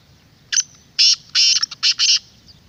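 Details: A black francolin gives a harsh, rasping phrase of five loud notes. The notes run close together, building to longer grating syllables over about two seconds. The call is used to provoke wild francolins into calling.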